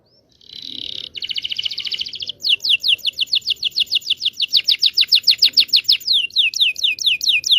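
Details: Long canary song used as a lure for young birds learning to sing. A short whistle leads into a two-second buzzy trill, then a lengthy rapid series of repeated sweeping notes.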